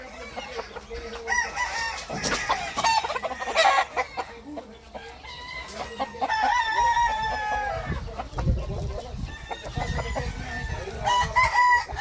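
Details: Roosters crow repeatedly amid farmyard clatter: several drawn-out, ringing crows overlap with clucking, sharp knocks and bursts of rustling noise, and a final crow closes the sequence.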